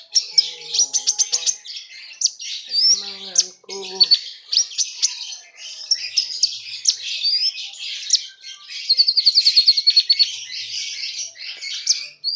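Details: Singing while puffed up, a Common iora pours out a long, varied high song: quick chirps, slurred whistles and rapid repeated trills, with a steady run of evenly spaced notes late on; a few lower tonal sounds early.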